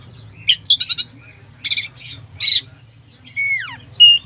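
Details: Oriental magpie-robin (kacer) isian song to stir a lazy kacer: rapid rattling trills and harsh bursts, then a long descending whistled slur and a final high clear note, low hum behind.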